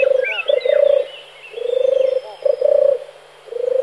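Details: A male European turtle dove sings its low, rolling purr in repeated phrases of two or three notes, with faint chirps from other birds above.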